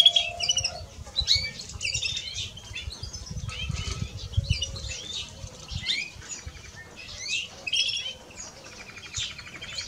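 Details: European greenfinch male and female singing: a busy run of sharp chirps, trills and twitters in quick bursts, with fluttering wingbeats and low rumbling underneath.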